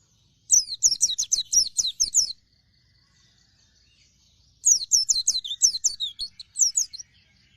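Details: Dakun Oriental white-eye in energetic song, two outbursts of quick, high-pitched, descending chirps, each nearly two seconds long, split by a brief quiet gap.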